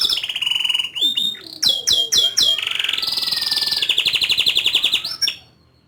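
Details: Lively canary performing ngerol rolls and nembak bursts: a steady mid-high trill, quick downward-swooping notes, then a long rapid high roll that fades out at the end.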